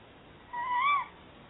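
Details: Tawny owl, one of a pair hunting for a new nesting site at a nest box in Somerset, gives a single half-second tonal call that wavers and rises slightly before falling away; quiet surroundings.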